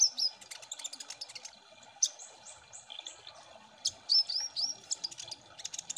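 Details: Kolibri Ninja sunbird song used as a lure to make birds sing quickly: rapid high ticking chirps, then a run of slurred upslurred whistles, then more high twitters.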